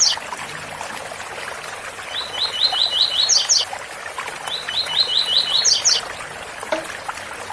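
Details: Rusty-collared seedeater repeating its tui-tui song, two phrases of quick repeated slurred notes that step up into high sharp terminal notes, accompanied by continuous waterfall rush.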